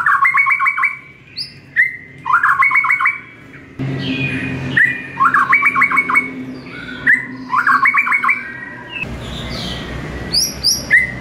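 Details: Caged white-rumped shama song used as a morning training recording for other birds: loud rapid trilled bursts, sharp rising whistles and high chips, phrases repeated with short pauses, some low background rumble.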